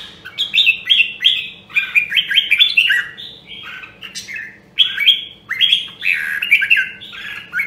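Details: Red-whiskered bulbul of the Nam Đông Huế line, a rare voice, singing during voice training: bright, rapid warbled phrases of slurred whistled notes, sweeping up and down, delivered in quick bursts with short pauses between them.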